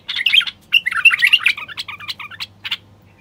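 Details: <caption 1>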